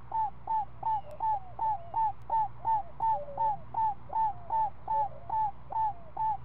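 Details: At a screech owl nest where a week-old owlet is fed snake in the afternoon, clear rapid hooked notes follow one another in a regular series, with a second, lower sliding voice joining partway through and a faint low hum.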